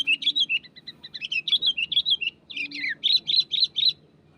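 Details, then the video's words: Wild sooty-headed bulbul in energetic song aimed at pressing a rival, a nearly continuous chain of bright, quick chirped notes, some sliding downward, with a short break midway before rapid notes resume. "SUARA GACOR BURUNG KUTILANG MENEKAN LAWAN"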